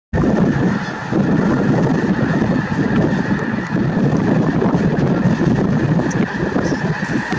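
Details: Snow geese at Merced National Wildlife Refuge on 22 January 2023: a dense, unbroken roar of many overlapping honking calls, steady throughout with no gaps, possibly mixed with wind.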